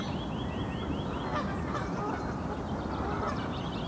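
Harsh, nasal honking from an Egyptian goose, with a few quick rising bird notes at the start and steady wind-like rumble beneath.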